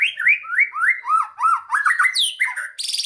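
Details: White-rumped shama song used to coax lazy shamas into singing: a run of about nine rich, falling whistled notes in steady rhythm, then a higher swooping whistle and a closing burst of rapid buzzy rattle.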